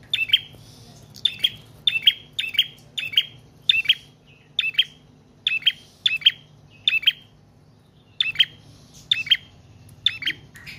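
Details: Prinia in long, lively song, used to attract birds and to teach other cage birds: rapid, high, snapping double chirps with buzzy endings, repeated almost twice a second with brief pauses.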